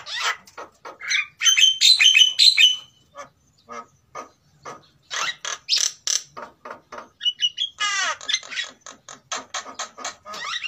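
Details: Captive-bred Javan mynas, a male and a female in breeding condition, sing a busy jumble of harsh chatters, sharp clicks and bright whistled notes, with a fast run of dry ticking notes throughout.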